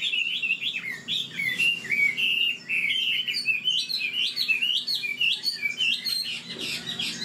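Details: Old Chinese hwamei from the wild, known for an excellent voice, pours out quick, bouncy whistled notes, each phrase sweeping up and dropping, strung together almost without gaps.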